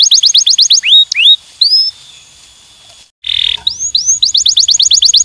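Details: Canary giving stimulating song: fast runs of descending whistled sweeps, a few slower rising slurred notes, a brief pause and a short buzzy burst, then quick sweeping trills resume.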